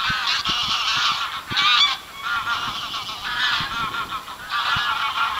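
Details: Geese calling with harsh, nasal honks in rapid, overlapping bursts, swelling loudest near the second mark before easing into a steadier run of repeated calls, punctuated by faint low thumps.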